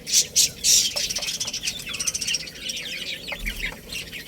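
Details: Chicks eating rice: three loud piercing peeps open, then a busy stream of quieter, rapid, overlapping chirps from many birds.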